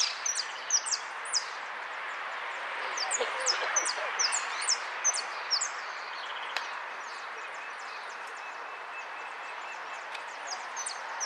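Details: Goldfinch song: a dense burst of rapid, high, sharp downslurred notes in the first half, then sparser high chips over steady background noise.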